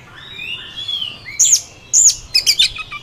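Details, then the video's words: A wild Oriental magpie-robin sings varied phrases: soft rising whistles, then sharp high notes and quick chattering bursts, with a low background hum. "kacer di alam liar"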